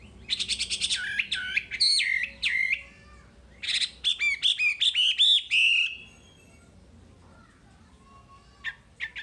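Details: A wambi delivers fast chattering notes and rolling whistled phrases, two busy bursts of song separated by a gap, with a few faint notes at the end.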